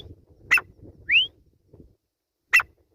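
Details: Grey francolin: a single loud rising whistle between two sharp broadband clicks, with low rumbling noise beneath.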